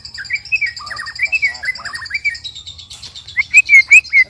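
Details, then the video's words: Sparring among three white-rumped shamas brings soft warbled phrases with slurred whistles, then four louder ringing upslurred notes near the end, over a constant thin high tone. "Murai Keluar Suara Aneh Ketika Di Trex 3 Murai"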